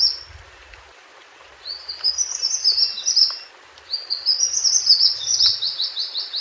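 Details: Mountain white-eye song recorded in the wild, used as a master song for training captive birds: two bursts of fast, high, thin twittering with sliding notes, the second longer and more continuous, over faint background hiss.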